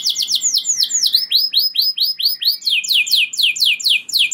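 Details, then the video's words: Singing canary used to make other canaries sing: a sequence of downward-sweeping whistled notes, then evenly repeated arched syllables, speeding into fast descending slurs. "Kenari Gacor Ngeroll Joss! Bikin Emosi Kenari Lain Langsung Terpancing Ikut Gacor Nembak Panjang"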